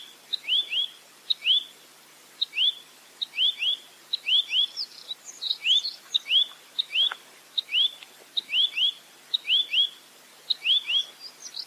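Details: Clear 'roll tembak' tutor recording of a velvet-fronted nuthatch (rambatan mandarin): repeated bursts of two or three rising whistled notes led by high ticks, steady over the whole stretch, with some faint higher chirps behind.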